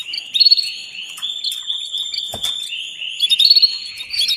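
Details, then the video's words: Female canary calling the male to mate: a continuous, thin, wavering whistle with soft rapid trill pulses, and louder chirped trills near the start and the end. "نداء أنثى كناري للتزاوج"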